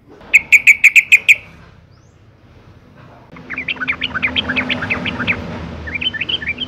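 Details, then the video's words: Female yellow-vented bulbul in breeding condition, calling males as a singing lure: a row of seven sharp, ringing clipped notes, silence, then a long stream of rapid, bubbly chirping notes over a faint steady hum. "suara panggilan burung trucuk betina gacor birahi"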